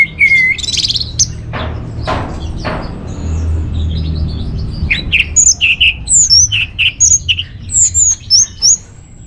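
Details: Orange-headed thrush song for luring and training caged birds: an opening slurred whistle and harsh bursts, then a rapid run of short, high, twisting whistled notes repeated in quick succession.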